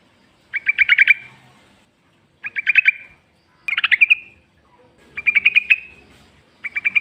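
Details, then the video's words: Yellow-vented bulbul, a wild bird singing in the forest, used as a lure to draw replies from other bulbuls: short bubbly chirped phrases of five or six notes, repeated about every one and a half seconds, clear and without background noise. "trucuk gacor ngalas full suara alam"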